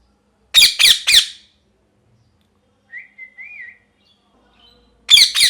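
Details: Parrot calling: three rapid rasping squawks, a soft wavering whistle in the quiet middle, then another run of harsh screeches at the close.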